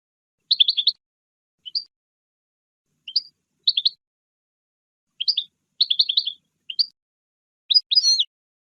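A goldfinch gives bright, high twittering phrases in short bursts, separated by brief pauses. The background is quiet.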